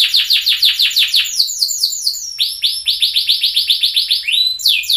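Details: Orange-dominant 'sunkist' loper canary singing a master lure song: fast rolling trills of downswept buzzy notes, about ninety per minute, switching to a slower even series, then ending in a rising sweep.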